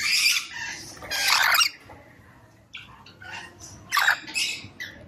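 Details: Rainbow lorikeet producing loud, raspy screeches in broad noisy bursts, a pair at the start and another near the end, with softer chirps in between.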